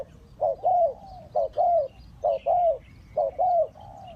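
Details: Spotted dove calling as a trapping lure for wild birds, repeating a low two-part coo, short note then a longer slurred note, about once every second, over faint higher chirping from other birds.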